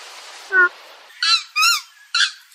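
A Purple swamphen gives four short, nasal, honking squawks, the first lower and the later ones harsher and rising. Soft background hiss.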